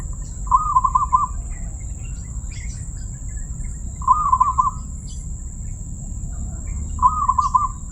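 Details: Perkutut (zebra dove) with a crystal-clear voice, giving three bubbly phrases of fast pulsed coo notes, one about every three seconds, with quiet gaps between. A constant high whine and low hum underneath.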